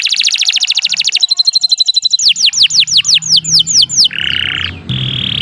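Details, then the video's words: Canary song offered as a master for other songbirds: a rapid even trill, then loud swooping downward whistles slowing in pace, closing with a harsh buzzy note and a steady tone. "11 Suara Burung Kenari II GACOR PANJANG Cocok untuk Masteran"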